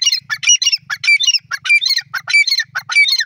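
A francolin gives harsh, squealing, high notes in quick bursts, repeating about every half second, over a faint low hum.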